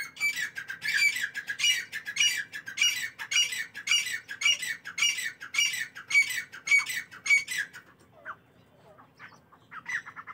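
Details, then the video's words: Partridges giving their morning calls: harsh, squawking notes at a fairly high pitch, repeated in steady rhythmic bursts almost twice a second for about eight seconds, then a short, quieter stretch with faint scattered sounds. "تیتروں کی صبح کی خوبصورت بولیاں"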